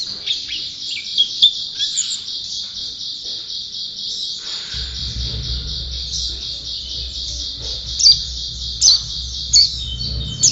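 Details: Champion white-eye pouring out a continuous high, buzzy twitter with occasional louder sharp chirps near the end; a low droning hum joins partway through.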